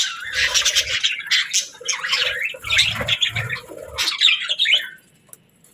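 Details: Budgie chirps and squawky warbles in lively phrases, some sliding up and down, ending in near silence after about five seconds.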